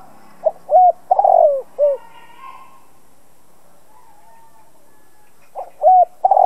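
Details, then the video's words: Decoy spotted dove calling to provoke other doves to call: a deep cooing phrase of short notes and one long, throaty coo, then silence and a second phrase beginning. "Chim cu gáy mồi cây gáy gọi kích bổi tập mồi căng lửa. Cu đất gáy kích bổi."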